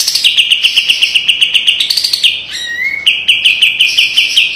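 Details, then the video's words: Kapas tembak white-eye song used as a training master, sharp style with tight rapid 'besetan'. A fast run of high, sharp repeated chirps continues nearly nonstop, broken by one short rising whistle, with no other sounds. "SUARA KAPAS TEMBAK TAJAM DAN PEDAS‼️ SPESIALIS BESETAN RAPET PALING COCOK MASTERAN"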